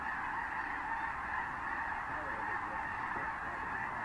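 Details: Thousands of Snow Geese with other birds flocking over San Joaquin River National Wildlife Refuge fields, January 2014, while landing; a constant roaring blend of honks, with a few fainter lower calls around the middle.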